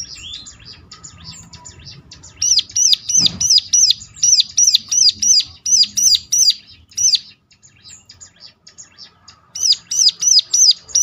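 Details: Ciblek, the bar-winged prinia, singing as a lure recording meant to trigger other birds to respond: a rapid run of high, clipped chirps, roughly three per second, pausing briefly before resuming the same sharp repeated notes.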